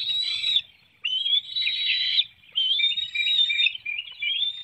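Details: Bald eagle nest in Hanover, Pennsylvania, early morning in June 2019: while an adult serves a small fish to a young bird, loud high squealing calls come in three long bursts separated by short silences.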